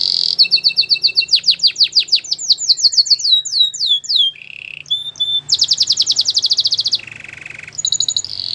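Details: A white canary sings a melodic training song of swift repeated swept whistles that change pitch in stages, followed by buzzy rolls, a lower rattling trill, and a final bright note.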